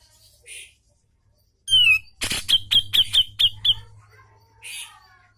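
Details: Sharp, powerful grey-cheeked bulbul song: a loud descending slurred whistle, then about seven piercing, evenly spaced notes in quick succession, ending in a soft hoarse note.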